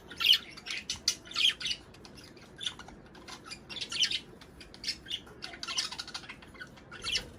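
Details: Budgerigars in lively chatter meant to encourage pairing and laying, rapid high chirps and squeaky notes arriving in pulsing clusters about once a second, several birds calling together.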